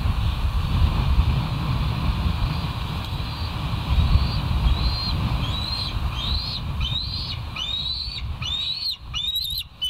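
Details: Bald eagles at the West End nest, recorded by a live cam at 05:13 on 28 July 2023: a series of high, thin, arched chirps that starts softly and grows louder and quicker over the last four seconds, over a heavy low wind rumble.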